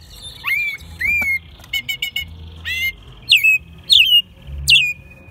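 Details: American robin singing indoors in Mexico City, March 2020, a bird kept since it was a nestling; a short long whistle, a quick burst of stuttered high clicks, then three sharp downslurred squeaky phrases.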